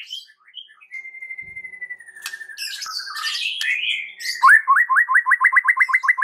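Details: Song of a white-rumped shama, played to spur other shamas to sing: a long steady whistle, a jumble of scratchy warbles, then rapid rising whistled notes repeated roughly four times a second.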